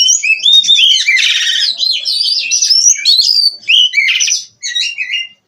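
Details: Oriental magpie-robin, a captive-bred bird, singing nonstop: loud, varied whistled phrases that slide up and down, mixed with harsh buzzy rattles, in a continuous rich medley.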